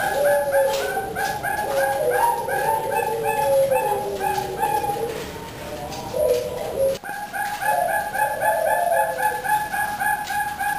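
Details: Female zebra dove breeding bird of the Teratai line cooing: soft, mellow repeated coos in quick series, low and tonal, with overlapping coo phrases from other doves and a faint high electronic whine.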